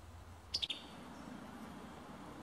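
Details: Summer tanager in Alabama: one quick burst of three sharp, clipped high notes, the group over in under a quarter second, then steady background hiss.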